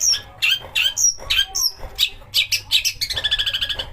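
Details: Long-tailed shrike singing to excite other shrikes into song; loud harsh and whistled notes tumble quickly, ending in a fast, even buzzing trill.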